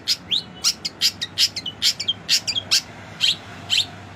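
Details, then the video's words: Long-tailed shrike, a songbird kept by hobbyists, singing a song rich in learned material: a quick run of sharp, high chirps and short down-slurred notes, each separate and bright, with a faint low hum underneath. "Cendet Isian Mewah"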